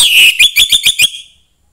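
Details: Short song burst from a young wild-caught orange-headed thrush: a sharp opening whistle followed by four or five fast, clipped, upslurred notes that fade out quickly. Sung to stimulate other thrushes.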